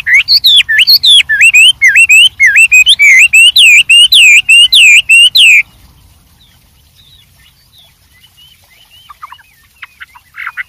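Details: White-rumped shama in the wild, song with many variations: a steady, loud series of curving whistled notes for several seconds, then only faint distant chirps.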